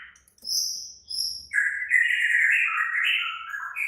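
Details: White-rumped shama singing excitedly: two high thin whistles, then a long continuous warbling phrase of rich, wavering mid-pitched notes.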